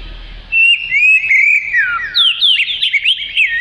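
Oriental magpie-robin pouring out a rich, rapid song of clear whistles, sweeping slurs and quick twittery notes, nearly without pause.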